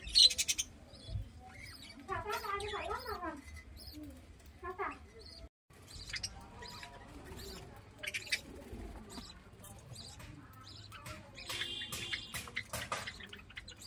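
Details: Budgerigar; warbling chatter; contentment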